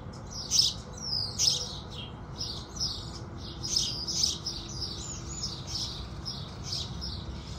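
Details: A busy sunrise sparrow chorus of house sparrows: overlapping chirps and short sliding notes, louder bursts early on and then a denser, softer chatter.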